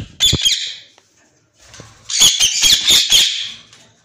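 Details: A kept pair of white ringneck parakeets: a short raspy squawk, a pause with faint rustling, then a run of loud screeches at roughly two per second.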